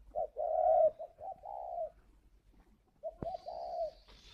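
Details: Spotted dove from a breeding farm near Hanoi, Vietnam, in its calling coo: a quick low note leading into a mellow drawn-out hoot, two phrases separated by silence, a sharp click and faint hiss near the end.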